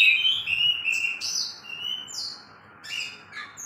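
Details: Oriental magpie-robin, two caged birds singing against each other: clear whistled phrases, some long and level, others sliding down, with short high buzzy bursts between and a brief pause midway.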